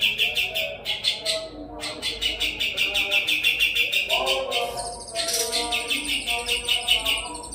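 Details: Kapas tembak used as a master tutor for murai batu and contest birds, pouring out tight runs of sharp, piercing notes several per second, broken by brief pauses, with a faint lower whistle underneath.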